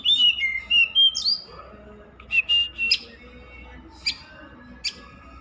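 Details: Oriental magpie-robin song, a few clear whistled notes around the start with sliding pitch, then short sharp upward chips separated by quiet gaps; a faint low hum runs underneath.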